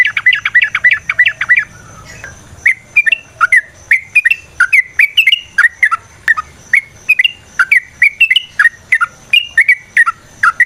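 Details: Sooty-headed bulbul singing a varied lure song to prompt other bulbuls: a fast run of bubbling notes, a brief pause, then a long sequence of lively, irregular whistled phrases.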